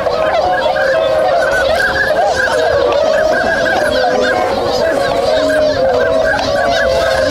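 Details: Swans waking and starting to move at a wintering site in Inzai, Chiba, Japan, on 16 January 2022; a dense chorus of many nasal honking calls overlapping continuously, with no pauses across the whole stretch.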